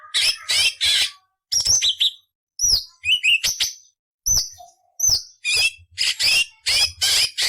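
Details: Cucak cungkok song meant as a tutor for magpie robins, green leafbirds and shamas: harsh grating bursts mixed with clear rising and falling whistled notes, delivered in short bouts about every second.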